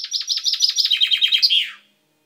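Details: Pet chaffinch with a freshly purple beak, recorded 10/05/12, delivering a bright rattling trill that steps down in pitch and ends in an emphatic downslurred flourish, then quiet.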